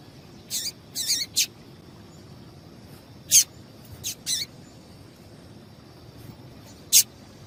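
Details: Female Double-collared seedeater call, used to stimulate males to sing, gives short, sharp, high peeps, singly or in quick clusters at irregular intervals, over a faint steady high hiss.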